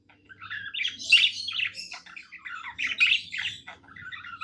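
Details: Pet budgerigar singing contentedly in a small room, a continuous twittering warble of scratchy chirps, clicks and squeaks running without break over a soft steady background hum.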